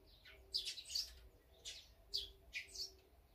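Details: Birds feeding together, listed as azure-winged magpie, sparrow, great tit and brown-eared bulbul; a few spaced, sharp, high chirps, about four notes in three seconds, over a soft low steady hum.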